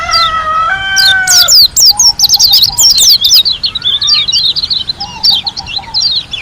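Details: White-eye from Lombok, Indonesia, in full song: rapid high twittering slurs and sharp chirps in quick bursts. The clip opens with a few steady, lower whistled tones from another bird.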